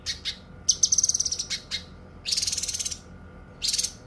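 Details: Cucak kinoi, a songbird used as a singing tutor and for therapy, gives quick high ticks followed by extended buzzy rattling trills, broken by brief sharp notes, all very high and bright.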